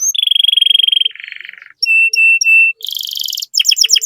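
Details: Canary song meant to prompt other canaries into singing: a long rapid trill, a lower rattling burst, three steady whistled notes, a high buzzy trill and quick descending chirps, varied and loud.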